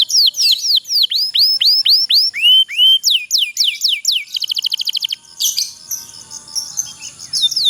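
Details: Canary singing a 'pocong' style song with long rolling trills, played to prompt lazy canaries into singing; a series of steep falling whistled notes in quick succession, then fast buzzy trills and chattering phrases near the end.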